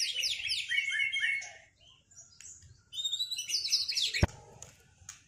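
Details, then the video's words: Post-moult white-rumped shama in a cage, duelling in song: bursts of rapid downslurred whistles and trills, a pause, then another excited cascade ending with a sharp knock. "Duel murai batu lepas mabung buat mengembalikan performa burung"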